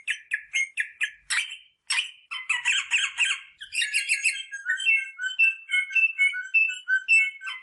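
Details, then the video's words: Rosella vocalizing to encourage breeding: a string of quick separate squawky notes, then a dense scratchy chatter, easing into repeated short whistled chirps of varying pitch. "صوت طائر الروزيلا للتحفيز على التزاوج │The sound of the rosella bird to stimulate mating"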